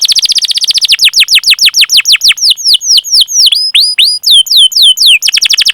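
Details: Canary song used as a lure for young or silent canaries: a fast rolling trill, then down-slurred whistled notes that gradually slow and spread out, before the rapid roll comes back.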